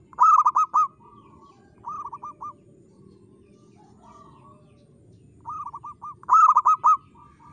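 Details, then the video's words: Local zebra dove song: repeated bursts of quick, rolling coo notes in short phrases with softer trills between, set against a low murmuring background. "PERKUTUT LOKAL GACOR SUARA KRISTAL"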